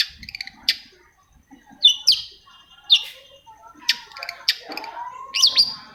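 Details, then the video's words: Long-tailed shrike song played to prompt silent shrikes into singing: sharp high chirps and short rising whistled notes spaced about a second apart, with a lower drawn-out whistle near the end. "CENDET MACET SUSAH BUNYI PASTI NYAUT KETIKA MENDENGAR TOETAN BURUNG CENDET INI"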